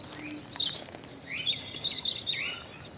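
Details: Unusual common myna call: a sharp chirp followed by a run of rising, slurred whistles and squeaky notes in quick, uneven succession, with faint background noise.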